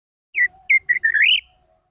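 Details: Orange-headed thrush singing as a lure for silent birds: a few short clear whistles, then a longer whistled note that climbs and wavers upward.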